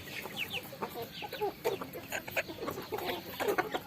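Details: Farm chickens eating rice: a flock giving many short, soft clucks and low murmured notes, overlapping in quick succession, with faint higher chirps scattered throughout.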